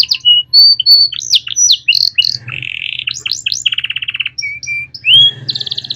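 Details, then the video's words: Canary song played as a master for training young birds: clear whistled notes, sharp sweeps and a rapid buzzy trill, over a faint low hum. "Masteran Kenari Gacor Cengkok Mewah Mudah Masuk untuk Burung Bahan"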